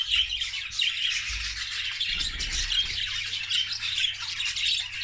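Budgerigars chatter continuously in a dense, high-pitched mix of chirps, warbles and squawks.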